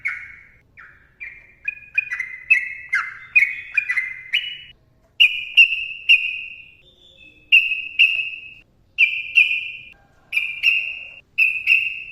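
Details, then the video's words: Sooty-headed bulbul (trucukan) in a dense, chatty training-style song meant to provoke other bulbuls: a run of quick descending whistles, then clear, slightly buzzy whistled notes at steady pitch, each separated by short pauses, no other sounds. "TRUCUKAN GACOR ROPEL PANJANG MBONANG SUARA RAPAT"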